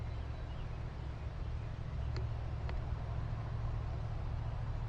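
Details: Steady low vehicle rumble with two faint clicks and no animal voices.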